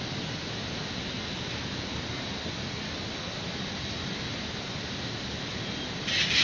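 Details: Constant broadband rushing noise, like wind or distant traffic, runs throughout, growing slightly louder at the end, with no animal call.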